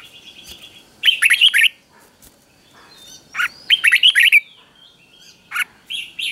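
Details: A red-whiskered bulbul sings a simple doubled three-syllable song, played to teach young birds: bright, bubbling phrases of a few quick whistled notes every 2–2.5 seconds, with faint thin chirps in the gaps.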